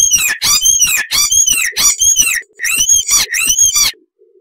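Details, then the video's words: Icterine warbler song, loud and varied: grouped nasal, arching squeals repeated in sets, a short break, then the same squealing phrase again; a faint low murmur between phrases. "Icterine Warbler (Hippolais icterina)"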